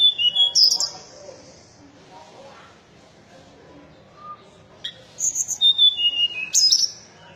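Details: Mountain tailorbird song: high, clear whistled notes and sharp upslurred phrases in two bursts separated by a quiet gap, with faint background noise between.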